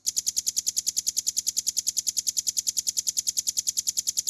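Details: Velvet-fronted nuthatch, a training recording of a cage bird in full, clear 'ngebren' style. A continuous, machine-like run of piercing high notes repeats about nine times a second, very even in pitch and pace throughout.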